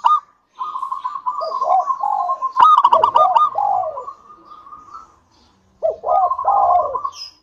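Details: A keen-singing local zebra dove, its song used to set other doves singing: long purring trills with low curling coos, a loud cluster of quick knocking notes in the middle, a short silence, then more rolling coos.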